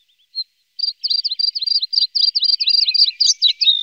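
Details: Red-spotted bluethroat, one of a pair with young in Norway: a lone high note, then a quick, steady run of sharp repeated chirps building into varied twittering.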